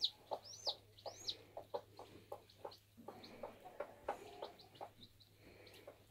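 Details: Bantam chick at hatching, giving a few high arched peeps early on over a steady run of low soft clucks or taps about twice a second, with a faint hum underneath.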